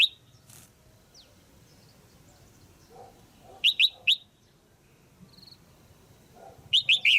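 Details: Female red-whiskered bulbul giving calls meant to excite a male or form a pair; loud, sharp chirps in short groups of two or three, separated by quiet pauses with faint low background noise.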